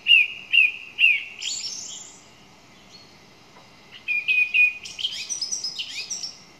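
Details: Song thrush song with three quick whistled notes repeated at the start, a rising buzzy sweep, then after a gap a run of rapid chattering and twittering phrases.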